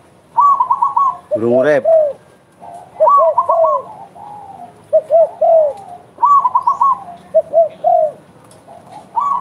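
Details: Derkuku, or spotted dove, cooing vigorously in the 'bekur' style: phrases of soft, rounded low coos at two pitch levels, a higher trilled coo series alternating with deeper notes, and one harsh rising note near the start.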